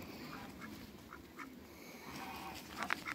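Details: Faint, scattered short quacks from mallard, hybrid mallard and Pekin ducks in a backyard pen, ending in a sharper cluster of quacks, with low background rumble.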